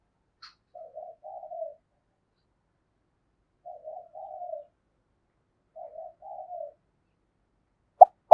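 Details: Spotted dove kept as a decoy, cooing quietly in its daily routine: three soft, low murmured phrases, each a short double note followed by a drawn-out falling coo, spaced about two to three seconds apart, ending with a sharp click.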